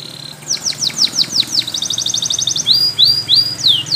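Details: Spanish Timbrado canary, a yellow bird, delivers a row of sharp falling notes, then a quick even rattle, and ends with slurred rising-and-falling whistles, with light background hiss.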